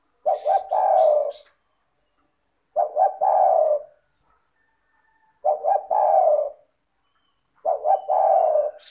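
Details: Spotted dove calling persistently, used to stimulate doves that rarely call. Four low coo phrases follow at roughly even intervals. Each has a couple of quick notes then a longer hoarse falling coo, with faint high chirps in the background.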